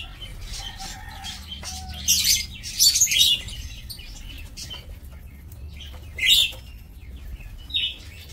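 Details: Lovebirds kept for breeding in an aviary, recorded 2 October 2024: bursts of shrill, harsh chirps around 2.1, 3 and 6.3 seconds, with quieter scattered chatter and a low background hum between them.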